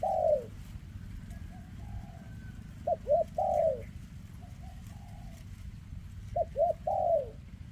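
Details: Spotted dove, a bird with a leg defect, calling in 2024: repeated phrases of quick paired coos and a long falling coo, with softer low coos between, over steady low rumbling noise.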